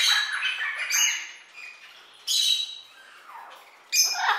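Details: Toucan calling with loud, rough, scratchy squawks: a long ragged burst at the start, then two sharp bursts about one and a half seconds apart.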